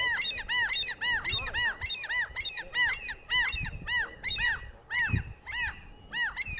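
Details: Common gulls give display calls at an upland breeding site in Central Scotland in March 2020, with over 100 birds present: shrill, arched squeals, about two per second in quick runs, over a faint breeze.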